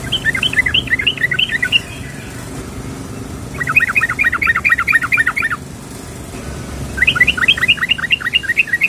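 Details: Three bursts of rapid chattering chirps from a female sooty-headed bulbul calling the male, each burst about two seconds long with short quiet gaps between.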